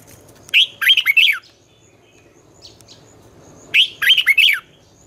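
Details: Red-whiskered bulbul giving its twisted 'giọng xoắn' morning song used to train young birds in competition: two matching phrases of bouncy, slurred whistles about three seconds apart.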